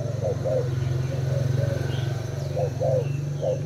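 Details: Thai spotted dove kept in a cage, cooing against a decoy. Spaced soft coos sit above a loud, buzzing low-pitched hum that dominates.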